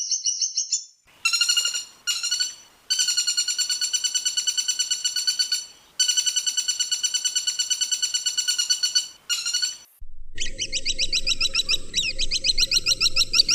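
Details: Woodpecker calls combined as master training sound for magpie robins: long, rapid trains of buzzy, harsh notes repeating several times a second, broken by brief pauses, ending with a higher rattling chatter over a low steady hum.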